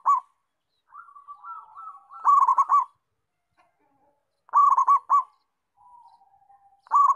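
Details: Local zebra dove singing actively, repeating short rolling coo phrases about every two and a half seconds. Softer, wavering calls from other birds fill the gaps between phrases.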